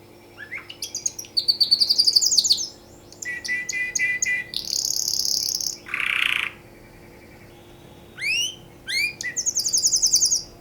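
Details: Canary song given for mating, made of varied bursts: high buzzy trills, a lower harsh rolling phrase, and short rising chirps, with brief pauses between phrases.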